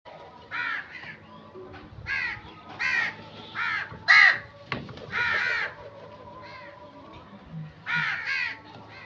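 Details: Crow giving a long series of harsh, hoarse caws, single and in quick pairs, with uneven pauses between them over a faint background hum.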